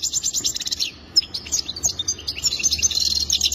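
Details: Goldfinch mating song, fast tinkling chatter and trills at high pitch, briefly pausing near the middle before a dense twittering stretch.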